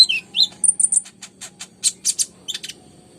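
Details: Konin, the ruby-cheeked sunbird, in full busy song: the clip opens with high slurred whistles, then gives a series of thin, high ticking chirps, roughly two or three per second, with a faint low hum behind.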